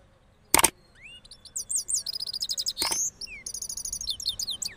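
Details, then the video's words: Rolling song of a cross goldfinch from Parachinar after moulting: a rising whistle leads into dense, rapid, high twittering and buzzy trills, broken by two loud knocking thuds. "Cross Gold Finch Part 3 After Moulting Rolling Songs"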